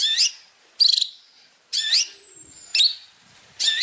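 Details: Long-tailed shrike master song for training from a champion bird: short harsh bursts of twisting chattered notes about every second, one followed by a long thin high whistle.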